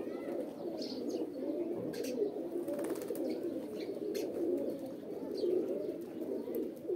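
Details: Pigeons, described as pet roller and homing pigeons, making a mating call: a continuous low, throaty cooing chorus of overlapping birds, with scattered faint clicks and rustles.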